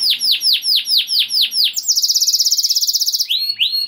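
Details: Canary singing to stir other canaries into breeding condition and make them sing along; a series of loud descending whistled sweeps, then a long rapid rolling trill, ending with upslurred notes.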